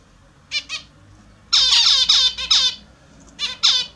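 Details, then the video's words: During a morning bath, captive Australian zebra finches give two short nasal beeps, then a dense second-long flurry of loud harsh calls, followed by a final pair. "My Australian Zebra Finches taking the morning bath"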